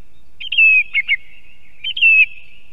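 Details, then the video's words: Song thrush in Estonia near an osprey nest, repeating the same whistled phrase twice: a clear falling whistle followed by quick chirps, about a second and a half apart. "Певчий дрозд (Turdus philomelos). Song Thrush"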